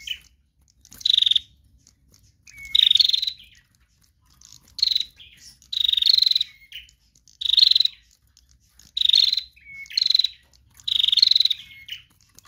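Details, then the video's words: Female bar-winged prinia calling steadily in trotol style as a lure: a series of about eight short, buzzy, rapidly pulsed bursts, roughly one every one and a half seconds, each with a small upward whistled lead-in. "Prenjak Betina Lepas Trotol GACOR"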